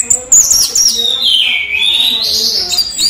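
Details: Orange-headed thrush, a kept collection bird, singing during the day: a high whistled phrase that slides down from very high to a lower pitch, then climbs back up again in one smooth sweep.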